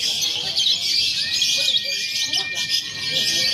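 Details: Simulated lovebird contest combining konslet, fighter and paud styles for pre-contest training; an unbroken wall of high, piercing chatter with a long steady whistled tone running beneath it.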